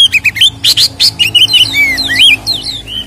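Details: Oriental magpie-robin (kacer) belting out 'ngeplong tarung' fighting song as a lure for agitating other kacer: quick successions of clear whistled notes, looping slurs rising and falling, a few harsher bursts early on.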